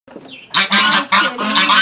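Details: Noisy geese kept at a countryside house surrounded by other animals give loud, harsh, nasal honks in two bursts, each lasting about half a second, after a brief faint sound at the start.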